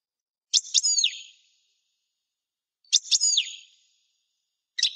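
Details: Young European goldfinch in its song-learning stage: two short bursts about two seconds apart, each of sharp clicks followed by bright, harmonic-rich notes that slur downward, with silence between them and a third burst starting at the end.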